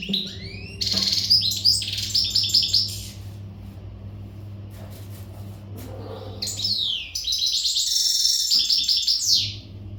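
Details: Untutored Western goldfinch in readiness song, giving two loud bursts of quick twittering, sweeping slurred notes and buzzy trills, separated by a few seconds of near silence with a low steady hum.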